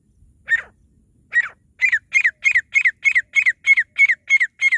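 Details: Partridge calling to lure other partridges for catching: two spaced harsh notes, then a rapid, steady run of loud, ringing, doubled calls repeated about three times a second, clear and dominant.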